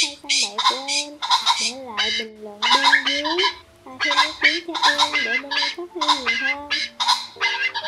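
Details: Red junglefowl flock of males and females calling, played to lure birds: repeated harsh, noisy squawks over wavering low tonal notes, bursts coming roughly every half second with short gaps.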